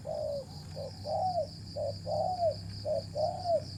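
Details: Cooing spotted dove during decoy trapping while the birds fight: a steady string of short and longer curved coo notes, nearly one per second, backed by low rumble and a thin continuous high whine.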